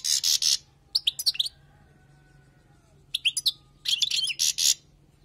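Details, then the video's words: Wild European goldfinch song for tutoring, given in short bursts: clusters of bright twittering notes separated by pauses, over a faint low hum. "تغريد حسون خلوي للتعليم"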